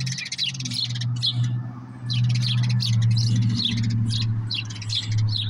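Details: Common grackles taking walnuts at a backyard feeding spot, with finches and other small birds chattering: bursts of sharp, high chirping notes in quick, uneven clusters several times a second over a steady low mechanical hum.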